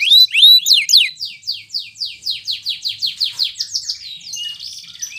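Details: A singing canary used as a lure to get silent or lazy canaries singing again and as a tutor for young birds of two to four months. A few whistled slurs lead into a rapid, steady trill of repeated descending notes ending in buzzy phrases.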